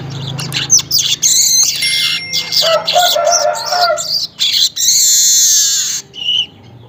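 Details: Weaver recorded in early morning around 5:40, a bird that sings again at midday and toward evening; dense high chattering and squeaky song with buzzy trills and brief pure whistles, a faint low hum beneath.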